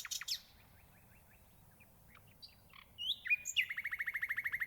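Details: Nightingale song: a few sharp notes, a soft string of short chirps, a pause, then whistled sweeps and a fast rattling trill of about fifteen repeated notes.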